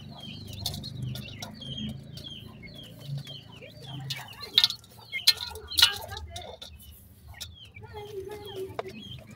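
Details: Young partridge chicks giving thin, high chirps that slide downward, repeated roughly twice a second, over a low background murmur of voices and a few sharp clicks.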